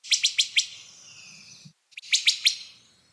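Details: Wood Thrush during fall migration in Kentucky woods giving sharp, snappy 'pit' notes, typical very early morning or late evening, four in quick succession, then after a short pause three more, high and clipped against a quiet background.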